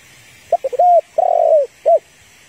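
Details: Female spotted dove calling to stir a male, kept for trapping: quick stuttering notes leading into two long level coos, then a brief closing coo, low and husky, with constant faint hiss behind.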